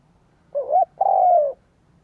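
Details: Spotted dove cooing, used as a decoy to lure and excite wild doves: two low, mellow coos, a short wavering note followed by a longer, steady, slightly falling one, in otherwise quiet surroundings.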